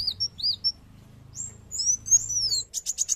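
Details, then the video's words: A sunbird (kolibri wulung) sings high, thin arched notes and sweeping slurred whistles, ending in a quick run of rapid ticking chips, over a faint low hum. "kolibri wulung"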